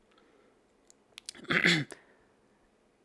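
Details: A few sharp clicks, then a brief noisy human burst like a sneeze or mouth sound in a quiet room, with no animal heard.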